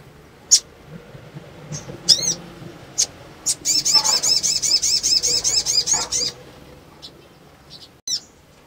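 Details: Female sunbird in breeding condition, calling to stimulate males. Scattered high chips surround a steady two-and-a-half-second burst of rapid, thin, arched high notes, with faint room noise.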